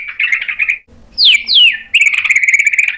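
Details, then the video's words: White-rumped shama, provoked into replying and showing off its learned mimicry: a rapid chattering trill, a brief pause, two sharp downward-sweeping whistles, then the fast trill returns. "PANCINGAN MURAI BATU BIKIN EMOSI JADI NYAUT GACOR BONGKAR MATERI ISIAN | SHAMA BIRD"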